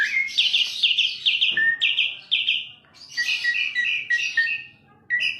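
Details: Asian pied starling song of dense, harsh chattering notes and high slurred whistles, repeated in runs, then rising and falling whistled phrases after a short break.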